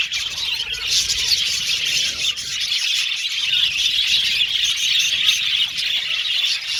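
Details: Budgerigars in an aviary colony singing and chirping: a dense, continuous wash of high, buzzy warbles and chirps overlapping without pause, with no other clear sounds.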